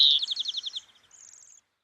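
A European Greenfinch gives a quick run of about eight bright, slightly falling chirps, followed by a thin, high, buzzy trill.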